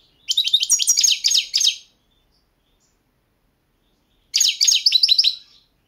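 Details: Balkan subspecies of European goldfinch recorded for the 2022 goldfinch song world championship; two quick, chattering phrases of high sliding notes, each about one and a half seconds, with a two-second silence between them.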